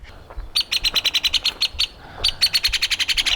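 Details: A Hairy Woodpecker in a tree by Lake Chelan, North Cascades, Washington, in fine weather, gives two quick rattling bursts of sharp, high notes, about eight per second, with a brief pause between them.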